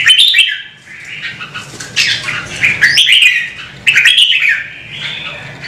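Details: Singing red-whiskered bulbul, a cage bird encouraged to perform, with long continuous warbling phrases that swoop up and down, three loud bursts in under six seconds over low room hum.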